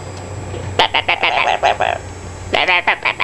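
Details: Pet Amazon parrot barking: two runs of short, harsh, bark-like yaps, five or six in quick succession, with a low hum in the background.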